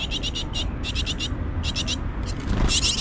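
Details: Adult and young great tits at a nest in Mariahoeve, The Hague, in spring 2024, giving high, thin chirps in rapid clustered series of three to four notes, repeated throughout, over a faint low background hum.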